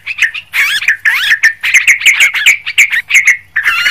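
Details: Lure recording of a noisy yellow-vented bulbul: dense, busy chatter of sharp chirps and twisting warbled phrases, with rapid repeated notes running almost without a break.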